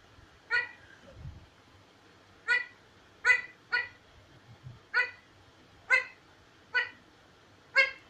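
An Indian ringneck parakeet gives eight short, harsh, nasal bursts at uneven intervals of about one second. Faint low thumps sound in the background.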